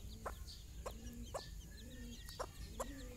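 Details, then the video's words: Mother hen with her chicks on their first morning walk outside, giving loud clucks about every half second, some with low drawn-out murmuring notes between, plus scattered high chick cheeps. "mothers hen call her babys for morning walk"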